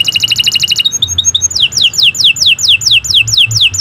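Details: Canary master song for training young birds: a fast pulsing trill, a few thin whistled notes, then a run of repeated downward slurs about three per second over low background hum.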